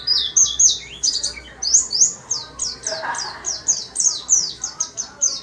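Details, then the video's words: Caged warbling white-eye singing busily in a small cage: a rapid, high chattering stream of short descending twittered notes, about four per second, with a faint murmur of voices behind. "Burung Pleci rajin berkicau di sangkar kecil"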